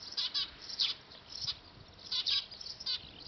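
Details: Recorded with a D5000 camera at a nest on a factory roof: Eurasian tree sparrows give a few bright, high chirps, some in close pairs, separated by short quiet gaps.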